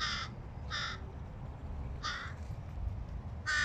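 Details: Young hooded crow, a fledgling attempting to feed by itself, gives four rasping, nasal caws spaced unevenly across a few seconds, with soft low-pitched background noise between calls.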